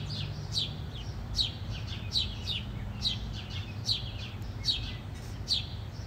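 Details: House sparrows fighting give short, sharp chirps in quick bursts, roughly every second, over a steady low rumble of background noise.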